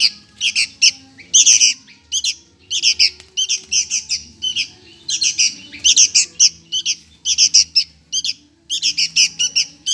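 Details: Hungry sooty-headed bulbul chick calls for food with rapid, scratchy squawks in clustered bursts of two to four, almost continuous, harsh and high-pitched.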